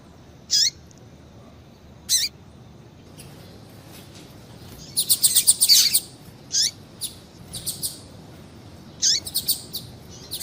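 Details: Double-collared seedeater female calls meant to stir males to sing: isolated high sweeping chirps, then a dense burst of quick bright notes, then spaced single chips toward the end over faint background hiss.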